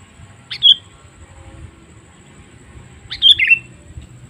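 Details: Sooty-headed bulbul calls used to lure wild birds: a brief high sharp note, then about two and a half seconds later a fuller phrase that falls into lower bubbling notes, over low rumble.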